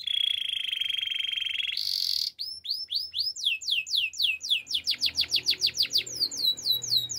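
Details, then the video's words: For training, a canary holds a long steady trilled roll, jumps to a higher buzzy note, then delivers accelerating tours of repeated slurred whistles growing faster toward the end. "The most powerful canary training song"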